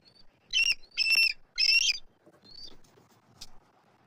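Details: Eagles at a Southwest Florida nest tree, March 12, 2024, calling at an intruding immature eagle: three loud, shrill, chattering bursts, then fainter, thin notes trailing off.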